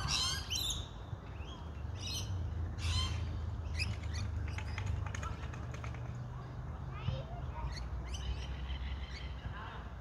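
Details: Rainbow lory in Australia giving harsh, broadband screeches in quick bursts, some clustered and some spaced a second or two apart, over a steady low rumble of background noise.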